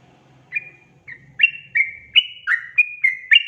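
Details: Sooty-headed bulbul song used as a lure to make wild birds sing: after a low hum, short whistled notes around mid pitch start at half a second and repeat in quick, slightly falling pairs.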